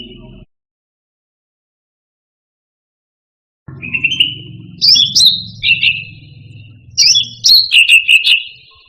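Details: After a long silence, a caged cucak rante songbird bursts into buzzy trills mixed with quick high slurred whistles, over a steady low background hum.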